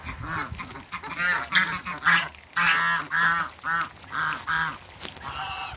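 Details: African geese, two males with one female, playing in backyard water, burst into loud, rapid, repeated honking, about two calls per second, harsh and nasal with rising-falling notes.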